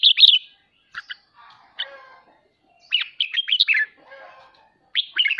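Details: Red-whiskered bulbul giving ché song for training caged birds to sing; bright twittering whistled phrases at the start and toward the end, with a few sharp single notes in between.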